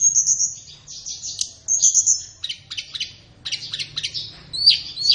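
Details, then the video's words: Flowerpecker song used as a master recording to train captive birds, best played in the morning or afternoon: high, thin chattering notes and quick downslurred chips, broken into irregular bursts, with a faint low hum beneath. "SUARA BURUNG - Masteran Terbaik Tledekan | Song 5"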